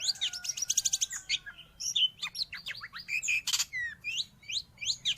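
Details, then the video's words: Long-tailed shrike song for training caged birds or luring wild ones: a burst of fast high chatter, a long thin whistle, then quick downslurred notes and rising whistled slurs, with faint low hum. "Suara burung Cendet / pentet"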